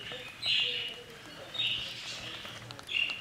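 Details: Budgerigar chicks aged 11 to 21 days, on breeding day 24: three raspy, high chirping bursts, near 0.5, 1.6 and 3 seconds, with quieter chatter between them and faint background sound.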